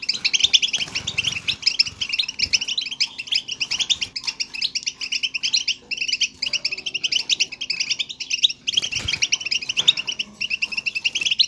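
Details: Goldfinch twitter meant to stimulate another goldfinch into song: long runs of fast, tinkling high notes packed closely together, broken by a few brief gaps, over faint low room noise.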